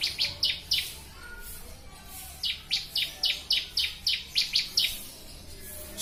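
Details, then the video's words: Bar-winged prinia (ciblek) master song for training birds: quick bright chirps in a short opening run, a pause, then a long even series of falling notes about two to three per second. "Masteran burung ciblek"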